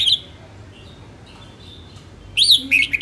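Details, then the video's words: Northern female red-whiskered bulbul in voice training utters a short chirp at the outset, then after a quiet spell a lively, wavering warbled phrase that fills the last second, over soft background hum. "Chào mào hót | luyen giọng chao mào | Chào mào mái"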